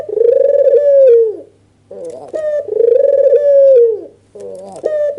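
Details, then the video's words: Agitated nodding white dove, red-eyed albino, calling to draw a rival's reply. Two long throbbing coos each fade downward at the close, separated by a pause and short clipped introductory notes. "Suara PANCINGAN burung PUTER PUTIH MATA MERAH full ngangguk EMOSI"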